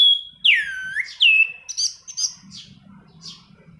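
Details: Energetic rolling song of an orange-banded thrush, used for luring and tutoring birds: swooping down-and-up whistles, then short high buzzy notes, over a low background hum.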